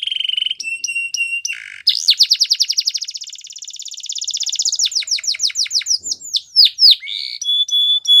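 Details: Belgian canary singing for training purposes: steady whistled notes, a loud rapid rolling trill lasting several seconds, then a string of downward-swooping whistles and a held clear note at the close.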